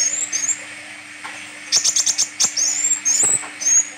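A sunbird sings very high, thin sweeping whistles broken by quick bursts of sharp chips, over a faint steady low hum.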